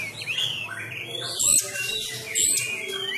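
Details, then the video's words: Oriental magpie-robin of Sumatra, practising its fighting style at home while contests are closed: clear rising and falling whistles with a sharp high note, over a steady low electrical hum. "Gaya tarung Kacer kacer sumatra"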